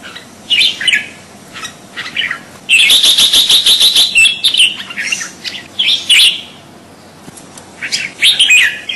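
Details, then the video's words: Crested bulbul (kutilang jambul) singing: bright whistled and chirping phrases high in pitch, with a dense run of rapid repeated notes in the middle, separated by short pauses. "Suara Burung Kutilang Jambul"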